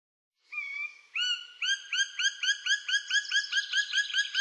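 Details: Black woodpecker calling: a drawn-out plaintive note, then a fast series of ringing, slightly upturned whistled notes repeated about twice per second, steady and loud, with a quiet background.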